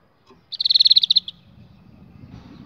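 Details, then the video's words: Canary training song for young canaries: one loud, high, rapid rolled trill of about a dozen evenly spaced pulses lasting under a second, fading into low background rumble. "Canary 's most powerful song for training 2022 اجمل تغريد لتعليم فراخ الكناري"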